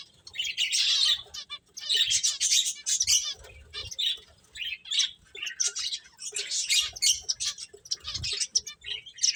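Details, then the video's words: Playing finches give overlapping high chirps and twitters in rapid clusters, busiest around one and two and a half seconds, with soft low rustling between bursts. "Cute Birds Chirping Sounds | Beautiful Finches Playing"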